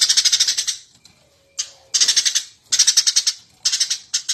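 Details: Master recording of a vigorously chattering Eurasian tree sparrow for training birds to sing: short bursts of fast, shrill chirps, about half a second to a second each, repeated with brief gaps.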